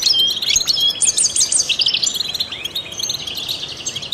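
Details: European goldfinch, a trained songbird, delivers a fast, bright twitter: a quick burst of repeated sharp chirps in the first second, then jumbled tinkling notes and liquid trills that gradually soften.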